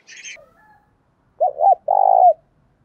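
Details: Spotted dove used as a lure to make other doves coo: a brief high chirp from a small bird, then a clear phrase of quick, bouncing low notes running into a long, throbbing hollow coo.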